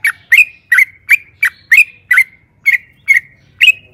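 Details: Yellow-vented bulbul giving loud separate chirps with slurred, dropping tones, roughly two or three per second, in a recording used to lure other birds into singing. The background is quiet.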